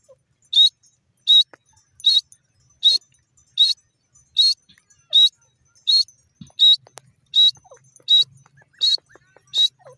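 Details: Grey francolin calling: short, high, bright notes repeated steadily about every three-quarters of a second, each a brief clipped burst, in a long even series over a quiet background with a faint low hum.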